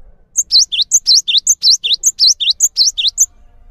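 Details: Calm, persistently singing gelatik batu (Cinereous tit) on a training recording for other songbirds: a tight phrase of one very high whistle and two lower, down-then-up slurred notes, repeated about five times in a steady, ringing rhythm.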